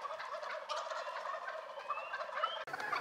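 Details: Wild turkeys in early spring in Rhode Island gobble in a dense, rapid, rattling chorus of overlapping voices, cut briefly near the end.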